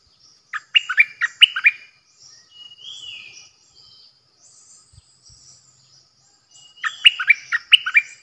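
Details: Bulbul used as a decoy bird, 8 May 2021. Two lively phrases of six or seven quick, liquid, chirping notes bracket a quiet middle with a soft slurred whistle and faint high notes.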